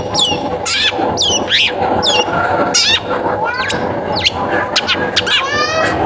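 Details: Song of a long-tailed shrike used as a lure to make other shrikes sing: energetic sequence of harsh sweeping notes, looping whistles and a closing rapid trill, over an unbroken background layer with music.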